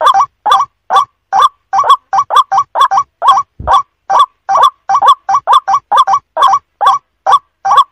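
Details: White-breasted waterhen calling loudly as a lure for distant birds: rhythmic hoarse two-part croaks with a rising kink, about twice a second, plus one brief low thump midway.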